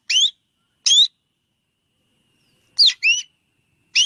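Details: Black drongo gives rising whistles with harmonics, two spaced single notes, then a quick double, then another.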